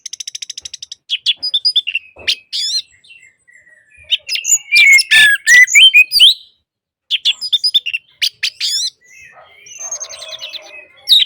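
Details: Orange-headed thrush song meant to prompt quiet birds to sing: rapid rattling notes, then dense loud bursts of whistles and scratchy mimic-like phrases, a short silence, and more varied chattering and buzzy notes.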